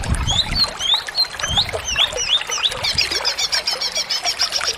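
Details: Greater green leafbird in lively, full song: a run of clear, sweeping whistled notes that rise and fall, then a fast stream of short repeated chipping notes, with faint low thumps beneath.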